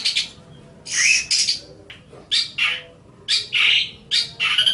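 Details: Harsh, buzzy squawking phrases from a Long-tailed shrike kept for training other songbirds, broad rasping bursts alternating with short sharp chirps.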